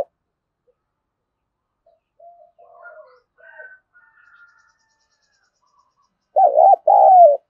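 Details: After faint distant cooing and high thin notes, a decoy spotted dove luring wild doves delivers one clear two-part coo, a brief wavering note then a longer gently descending one.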